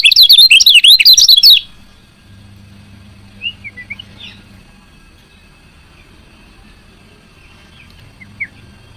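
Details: Female lemon-bellied white-eye giving its chirping call, used to stimulate lazy males to sing; a fast burst of high, sharp, wavering chirps for about a second and a half, then near silence with a few faint chirps and a low hum.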